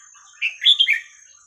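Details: Single song phrase from a red-whiskered bulbul in the 'hua khrok khayao khuat' style, used to tutor chicks: a short note followed by a rolling, warbled run of three whistled syllables, rising then dropping.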